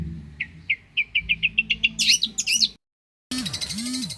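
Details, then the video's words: Long-tailed shrike, a Banyuwangi champion singer for tutoring: accelerating series of clear chipped notes building into harsh squeaky calls, then a brief silence and a burst of electronic music. "MASTERAN CENDET JUARA"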